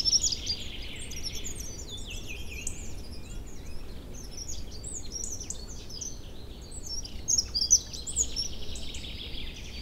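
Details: Early-spring bird chorus on a fine April day in forest and meadows beside a river in flood after the ice has gone. Faint, high chirps and slurred whistles overlap throughout, partly masked by a steady low roar of rushing water.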